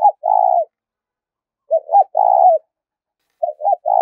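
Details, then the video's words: Trapping-lure cooing of a spotted dove in 'thúc' style: a sustained low mellow coo, then two short stuttered notes leading into a longer drawn-out coo, the phrase beginning again at the end. "cu gáy thúc rút bổi dùng cho anh em đi gài, bổi và mồi nghe khó cưỡng lại"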